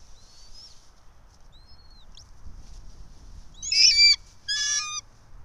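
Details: Bald eagle pair at their nest atop a pine about 90 feet up in Johnson City, Tennessee, 04.03.2024 around 06:28; thin high whistles, then two loud harsh chattering calls rich in harmonics, each about half a second, over quiet background.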